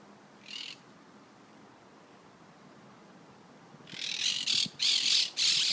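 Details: Monk (Quaker) parakeets, a flock of 60-70 perched high on telephone wires on a stormy Sunday morning in League City, Texas, burst into loud, harsh, screechy chattering as they take off together.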